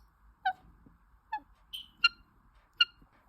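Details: Pet Indian ringneck parakeet chirping while playing: five short, separate harmonic chirps, some dropping in pitch, spaced irregularly over a few seconds in a quiet room.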